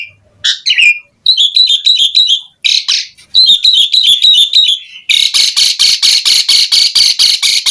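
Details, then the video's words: Asian pied starling pouring out lively, varied song: squeaky slurs, rapid high chattering runs, then a steady train of loud harsh rasping notes about three per second. "JALAK SUREN GACOR FULL ISIAN"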